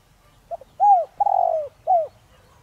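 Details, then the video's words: Spotted dove used as a decoy bird to provoke wild doves into calling, singing in the pure 'giọng đồng' voice style: a soft short note, then a mellow arched coo, a long purring coo and a final short falling coo, clear and quiet. "Chim cu gáy Giọng Đồng Rặc kích bổi nhanh nổi/cu gáy mồi cây kích bổi nhanh gáy"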